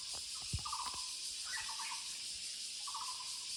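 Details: A Muller's barbet in woodland utters three spaced bursts of quick low pulses, with a brief higher note near the middle, a few soft thumps early on, and a steady high insect hum.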